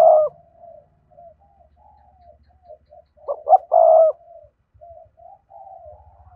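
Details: Spotted dove singing its complete coo, meant to rouse captive doves; a long coo opens, soft background cooing follows, then two sharp short notes and a sustained hoarse coo, with faint low tapping.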